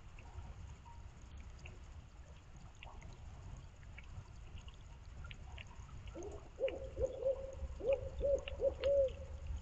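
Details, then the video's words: Barred owl calling and answering on a rainy night, 10 Feb 2024, near woods and a creek in the North Georgia foothills northwest of Atlanta: a rhythmic run of deep, slightly wavering hoots near the end over steady hissing rain. "BARRED OWL Rainy Night calls and Responses"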